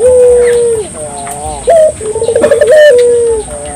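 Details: Singing Barbary dove, used to prompt local doves to sing: a long steady coo easing downward, a softer wavering coo, a brief raised note, a quick throbbing trill of pulses, then a final sustained coo that dips at the end.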